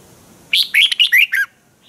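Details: A caged Red-whiskered bulbul from Thailand delivers one quick training-song phrase of about five bright, slurred whistled notes, rising and falling, lasting under a second.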